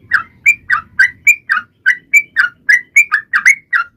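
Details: Sooty-headed bulbul song used to draw other birds into singing, quick chirpy whistled notes rising and falling in close succession, over a faint low rumble of background noise early on.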